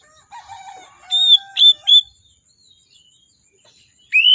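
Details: Oriental magpie-robin, an excited singer used to coax birds that rarely sing: a soft low harmonic warble, then three sharp high whistles in quick succession, a pause, and a final rising sweep.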